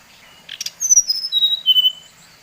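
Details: Brief lure song of a Bali brown-chested jungle flycatcher, meant to stir up rival birds: a single falling run of clear whistled notes after a short rough note.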